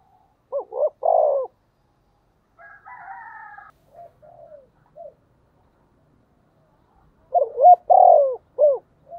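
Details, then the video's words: Spotted dove used as a decoy bird, calling in a local regional voice style: a phrase of short hooted notes rising into a long drawn coo and a final clipped note, given twice, with a few softer higher calls between. "Tiếng chim cu gáy mồi gáy gọi giọng rất hạp bổi"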